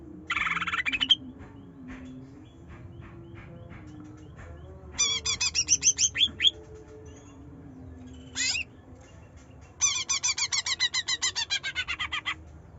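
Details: Greater green leafbird song used to provoke a bird that is slow to sing, in the trotol, nyerecet and nembak style. Separate bursts: a quick opening trill, a chattering run, one sharp sweeping note, then a long rapid rattle of high notes.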